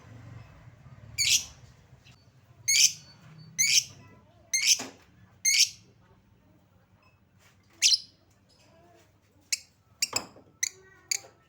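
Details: Lovebird calls used as a lure to prompt lovebirds to sing: sharp high chirps in uneven bursts, then a quicker cluster of short clicks near the end, over a low indoor hum.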